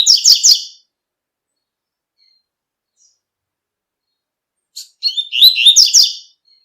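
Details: A double-collared seedeater singing tui-tui song in nature: a quick high warbled phrase, a long silence of about four seconds, then another rapid burst of sharp, slurred whistling notes.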